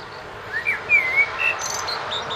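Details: A Eurasian blackbird sings in a front garden by a street on 29 March 2014, its song dominating the traffic noise: a short phrase of mellow, fluty whistles ending in a thin, high twitter, over a soft background hiss.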